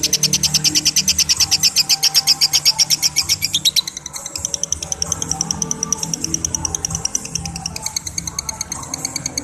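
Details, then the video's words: Lovebird giving the long 'ngekek' chatter: a fast train of high, sharp ticking notes, loud and even for about four seconds, then continuing softer and more ragged to the end. "Suara LOVEBIRD Ngekek Ngekek Panjang"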